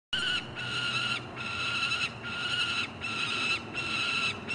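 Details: Juvenile peregrine falcons at a nest box in Columbus, Ohio, on 28 June 2016, one perhaps on the ledge and another possibly flying: long harsh wailing screams repeated without pause, each lasting under a second.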